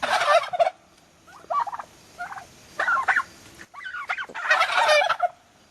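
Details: Young turkeys almost six months old give harsh, rapidly rattling gobbles in four bursts over about five seconds, each a wavering, throaty trill, against a quiet background.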